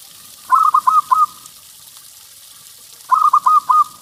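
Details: Local zebra dove used for luring, delivering two phrases of four rapid, mellow coos about two and a half seconds apart, each trailing into a brief held note.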